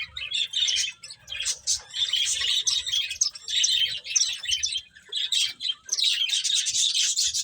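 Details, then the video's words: Eating finches keep up a steady chatter of sharp, high chirps, overlapping rapidly with brief lulls around one and five seconds. "Cute Birds Chirping Sounds | Beautiful Finches Eating"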